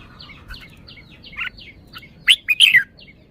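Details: Red-whiskered bulbul singing a compact, loud burst of bright whistled notes after quieter chirps, its song phrasing (samnuan) described as good; soft calls of other birds fill the background.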